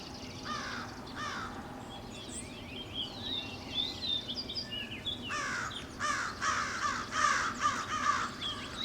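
Pileated Woodpecker giving loud, harsh, ringing notes, a couple early then an uneven run of them near the end; higher chirps from other birds and a steady rumble behind.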